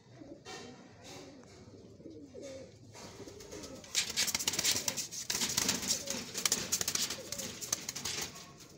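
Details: A pair of Teddy pigeons cooing indoors: low, wavering rolled coos through the first three seconds. Sharp clattering, rustling and wing-flapping noises follow and grow louder toward the end.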